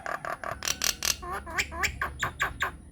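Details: Myna lure recording meant to get other mynas to answer: harsh rasping notes, then wavering nasal calls and loud squawks spaced roughly every quarter second.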